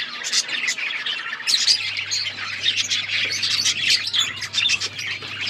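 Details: Many budgies calling at once, scratchy squawks mixed with quick chirps and warbles, steady electrical hum beneath.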